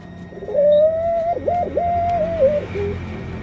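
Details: Breeding hen puter pelung (ringneck) dove kept as a pet, cooing in a way that signals she is about to lay eggs: one long, steady, mid-pitched coo broken by two quick downward dips, then trailing off. Faint steady background hum.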